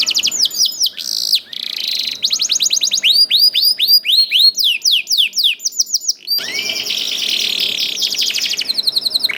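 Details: Young canary in energetic song, played to coax other canaries into singing: rolling trills, a burst of buzzy notes, a long series of crisp falling whistles, and a dense chattering roll.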